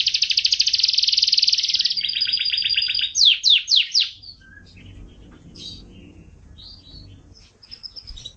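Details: Canary song used as a tutoring recording for pet songbirds. Fast buzzy trills at about 200 notes a minute run into a few loud swooping notes, then scattered quieter chirps and short whistles.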